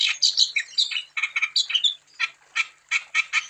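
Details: Wambi bird in full song, used as a lure to stimulate other wambi to sing: rapid high chattering notes and squawky bursts, then evenly spaced harsh chips about every third of a second.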